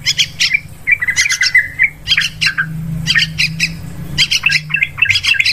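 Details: Yellow-vented bulbul lure calls for hunting birds in forest, rice fields and plantations: harsh scolding bursts alternating with short whistled phrases, plus a faint low hum in the background.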